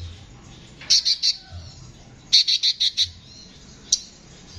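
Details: Konin singing in a harsh voice, used as a tutor recording for training songbirds: two quick bursts of high, sharp chirped notes, three then five, followed by one lone note, with faint low background rumble.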